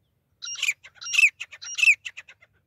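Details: Female grey francolin call used to lure birds for hunting: three loud harsh phrases, each a squawky burst with a thin whistled band and a falling note, followed by short rapid clipped notes, over a clean silent background.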